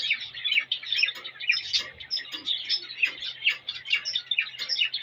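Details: Male cockatiel serenading a female to encourage mating, giving a rapid jumble of high chirps and brief whistled slurs, with loudness rising and falling about twice a second.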